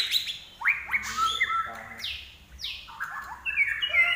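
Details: Common iora in active song (gacor), with quick rising whistles, high downslurred notes and stepped whistled phrases at varied pitches.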